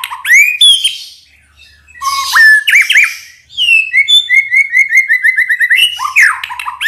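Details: White-rumped shama morning song meant to provoke other shamas into answering: rising whistles and harsh chirps, then a long run of rapid repeated clear notes trilled on one pitch, ending with sharp upslurs.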